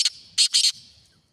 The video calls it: kala teetar ki awaz | black Partridge voice